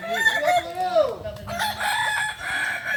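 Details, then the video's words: Kukuak balenggek rooster at a crowing contest final, Ampang Kualo, Kota Solok, 8 September 2024; a clear crow with swooping, arched syllables for about a second, followed by softer overlapping crowing from other birds. "ayam kukuak balenggek"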